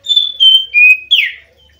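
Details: Oriental magpie-robin, a kept songbird, singing in a Javanese 'gacor' style: four clear whistled notes stepping down from high to lower pitch, ending in a brief buzzy slurred note, in under two seconds.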